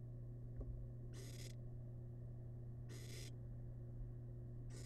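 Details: Rasping hisses from a tiny wild barn owl chick feeding on rabbit leftovers in a nest box, three bursts roughly two seconds apart, the last cut off, after a faint click, over a low hum.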